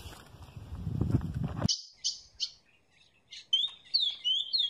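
Ultramarine Grosbeak song: a few sharp chirps, then a quick, warbled run of high slurred whistles, after a burst of low rumbling noise at the start.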